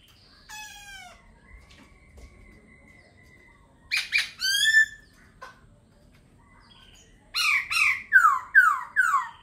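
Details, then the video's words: Singing laughingthrush delivers a falling harmonic whistle, a long level tone, then clustered ringing notes around four seconds and a final string of four descending slurred whistles. "Khướu hót hay"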